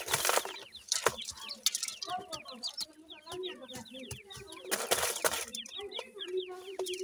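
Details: Several grey francolin chicks cheep continuously: dense overlapping high peeps, each sliding downward, over soft lower clucking notes, broken by a few loud scratchy rustles.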